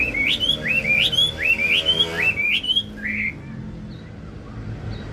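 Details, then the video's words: Wambi singing a lure song to stimulate other birds: a run of five quick upslurred whistles, evenly repeated, then a softer fading note and near-quiet, with faint low hum. "pancingan wambi gacor"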